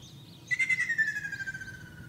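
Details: Ruddy kingfisher song recorded in Shizuoka, Japan, 2 June 2024: a clear, rolling trill of rapid pulses that starts abruptly and glides gently lower over about one and a half seconds, with quiet background hum.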